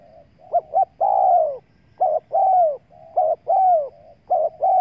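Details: Spotted dove used as a lure for wild doves gives soft hooting phrases: paired short coos, then a prolonged, hoarse, downward-curving coo, repeated steadily with faint quieter notes between.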